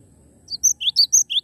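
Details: Lively cinereous tit song, a short run of about five bright, high chirps, each pair sliding upward and spaced evenly, against soft low background rumble.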